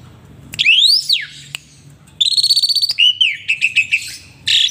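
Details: A male Asian pied starling sings, apparently in a lively mood, a varied string of loud whistles: a long rising-then-falling slur, then buzzy notes and a quick run of chattering pulses.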